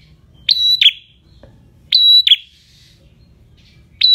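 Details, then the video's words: Prinia singing in the semi-active ngalun style, a clear recording made for tutoring cage birds: loud, pure whistled phrases, each a level held note followed by a short dropping chirp, repeated roughly every one and a half seconds over a quiet low hum. "MASTERAN Prenjak Semi Gacor Suara Ngalun"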